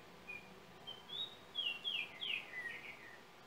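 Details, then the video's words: Whistled song of a yellow oriole from Trinidad, recorded by cell phone: a few separate whistles lead into three loud, slurred, down-sweeping notes and a softer lower ending, against constant faint hiss. "Yellow oriole bird of Trinidad"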